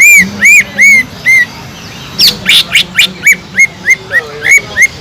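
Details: Green leafbird song used to fire up leafbirds lacking aggression: a series of ringing, arched whistles, first spaced and slow, then a fast even run of similar notes about three per second.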